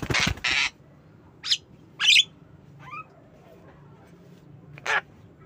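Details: A pet Javan myna in the afternoon gives harsh, grating squawks: two loud bursts, then scattered rasps and a brief whistled note, with a final harsh squawk.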